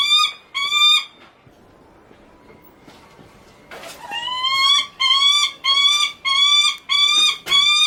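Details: A captive Lanner falcon named Archery at Kakegawa Kachoen bird park calls on and on, wanting attention from a keeper: loud, harsh, slightly rising notes with strong harmonics, repeated about every half second to one second in bursts, with quiet pauses between.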